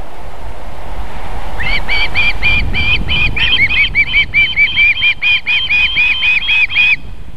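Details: A female osprey feeding her babies at a Võrumaa nest in Estonia, July 2021 evening; after a quiet start with low rumble, a fast, even sequence of piercing whistled chirps continues for about five seconds.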